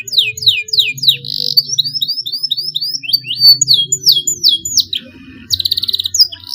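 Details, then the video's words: Young canary learning to sing, starting long rolls: a run of repeated downward-sweeping whistled notes, then brief fast trills and a buzzy rapid burst near the end. "KENARI PAUD BELAJAR BUNYI SUARA MULAI NGEROLL PANJANG"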